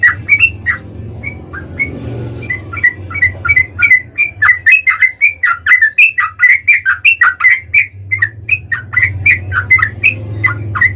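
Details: Sooty-headed bulbul in energetic long rapid-trill song used to call up other bulbuls: a steady stream of bubbly, slurred chirps, several per second, over a continuous low hum.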